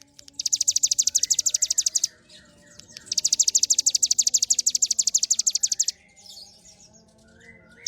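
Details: Hill prinia (ciblek gunung) in full continuous song: long trains of high, piercing, rapidly repeated notes, about three each second. Two bursts of roughly two and three seconds, with quieter twittering in the gap.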